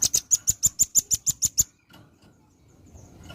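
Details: Velvet-fronted nuthatch in steady song, a master recording for tutoring other birds: ten evenly spaced, sharp, very high ticks delivered rapidly, followed by quiet background.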